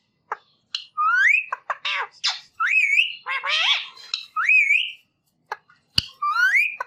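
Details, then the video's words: Rose-ringed parakeet giving loud whistled calls that rise and then bend upward, with harsh broadband squawks and sharp clicks between them, in bursts separated by short silences. "Green Parrot Bird Natural Sound Effect"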